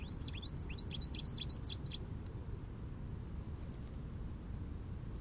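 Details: Jubilant American goldfinch in an Eastern Red Cedar delivering a rapid two-second burst of high, looping, warbled notes, then falling silent while a steady low background rumble continues.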